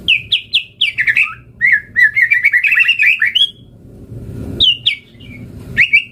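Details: White-rumped shama singing in lively repeated high whistled notes that run into a fast warbling trill, then a pause with low background noise before more clear whistles.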